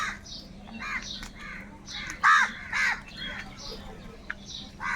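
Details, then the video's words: Crows squabbling over food give a string of hoarse caws, the loudest in the middle, over a steady low background hum. "Crow birds loudly crowing sounds - কাকের ডাক Crow Sound | Kaka sound and noises of crow birds"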